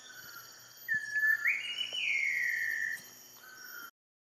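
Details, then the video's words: A Large Wren-Babbler in Malaysia gives a single long, clear whistle that swells, rises briefly, then levels off and fades, followed by a softer whistled note, over a steady insect hiss. "Large Wren-Babbler"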